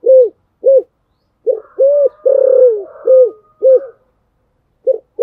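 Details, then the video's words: Coaxing coos from a spotted dove in the Thổ Sấm style, meant to spur a rival to sing: a string of arched hollow hoots and one longer falling coo, with a thin higher whistle faintly behind. "cu gáy thúc gù Giọng Thổ Sấm, chim cu gáy gù đấu mở lên bổi gáy hiệu quả"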